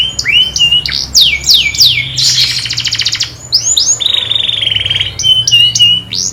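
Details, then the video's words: Master canary calling friends amid fighting; sweeping slurred whistles and chirps, a pulsed buzzy trill in the middle, then a smoother held roll and more scattered upslurred notes over a low hum. "O SOM DOS CANÁRIOS MESTRE CHAMANDO AMIGOS E BRIGAS"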